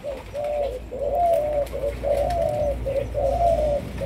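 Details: Malaysian-strain spotted dove, a young bird in decoy training. It gives loud, continuous mellow cooing in linked phrases of drawn-out hoots with short dips between them. A low rumble runs underneath.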